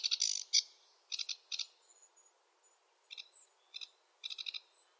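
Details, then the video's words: Sedge warbler in wetland habitat delivering spaced bursts of harsh chattering notes, each burst a quick rattle, separated by short silences and thin high notes. "Sedge warbler song (Acrocephalus schoenobaenus) the warbler rapper"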